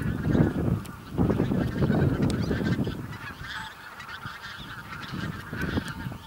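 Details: Several thousand Bean Geese on a field on Texel, Netherlands, 22 November 2014, about half flying off, give a dense, overlapping chorus of nasal honks and cackles, with low rumbling wind or wing noise strongest early on.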